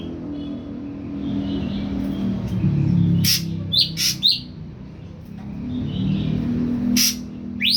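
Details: Caged juvenile ashy drongo, three weeks on pellet feed and newly daring to sing, utters a few harsh bursts and upward-sweeping whistled notes in two short clusters, with constant low rumbling background.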